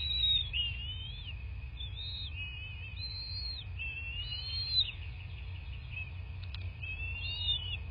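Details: Bald eagle calling at the nest, southwest Florida, nest cam on 26 February 2024 around 09:21; a string of thin, high whistled squeals, rising and dropping in short arcs about every second, with a low droning hum throughout.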